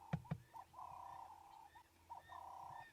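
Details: A ring-necked dove perched nearby on a morning safari drive on 19 August 2016, its throat puffing as it calls. It gives a rhythmic, hollow cooing phrase of short and drawn-out notes over a low engine rumble, with two sharp knocks at the start.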